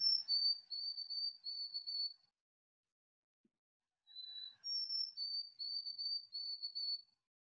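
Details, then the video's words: A White-throated Sparrow sings twice: a pure, high whistled opening note, then a steady series of shorter whistled triplets, the 'old sam peabody peabody peabody' song. "so this is the song of the white throated sparrow"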